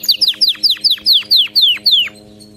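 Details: Canary song for training pet birds: eight loud, clear whistled notes, each sliding sharply downward, spaced about a quarter second apart, then quiet.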